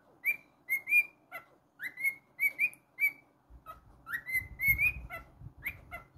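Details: Pet cockatiel's rhythmic whistled song: repeated rising swoops ending in sustained clear notes, roughly two per second, with a low rumbling thump partway through.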